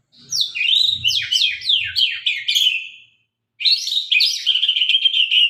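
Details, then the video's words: Murai sabang white-rumped shama in sharp song: a quick series of falling whistled slurs, a brief silence, then a buzzy, warbling trill held at an even pitch. "murai batu gacor murai sabang suara tajam"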